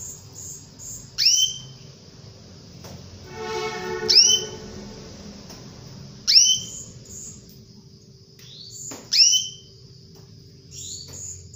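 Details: Female canary calling a male, a lure sound for canaries that have stopped singing: sharp upward-sweeping whistled notes roughly every two to three seconds over faint steady high ticking and low hum, with one brief buzzy harmonic burst midway.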